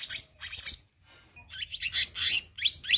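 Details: Black-naped monarch lure recording: two loud scratchy chatter notes, a short pause with a faint whistle, then a rapid run of harsh buzzy notes and upslurs.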